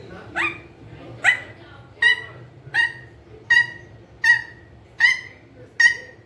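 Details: Pet green ringneck parrot, a rose-ringed parakeet, described as talking, gives a rhythmic run of eight loud, harsh squawks, each a sharp ringing note, repeated about every 0.8 seconds over a faint low hum.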